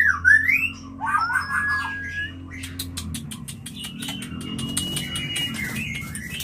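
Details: White-rumped shama call meant to trigger mating: two loud rising whistled phrases open, followed by a fast run of dry clicking ticks and a steady thin whistle over a low background hum.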